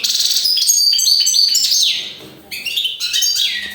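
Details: European goldfinch in sustained chattering song of sharp high chirps and tinkling trills, a descending slurred note midway, then a short gap before more bright twittering phrases.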